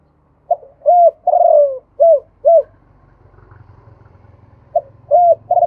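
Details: Male spotted dove in Thailand, 'khu ang' song: a pip, an arched coo, a long falling burry coo, and two short arched coos, followed by a low engine rumble passing before the next phrase begins.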